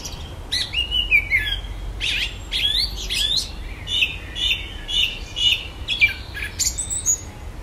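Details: Common blackbird singing at dusk at the end of a garden, with imitated electronic noises: a varied string of squeaky whistled slurs and chirps, delivered in quick uneven phrases.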